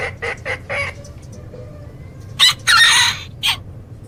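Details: Chickens in a flock: a few short clucks, a pause, then loud harsh squawks and a brief strident cackle.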